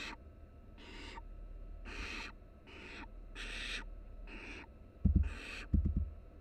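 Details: Young barn owls, three nestlings cuddled together in a University of Florida nest box, produce a fast run of seven short raspy hissing bursts of uneven length, then two dull knocking thumps near the end.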